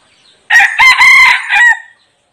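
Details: Decoy red junglefowl, used to call in wild birds, crowing once: a quick first syllable, two extended rough middle syllables, then a short final one, totalling about one and a half seconds. Soft noise is heard before it begins.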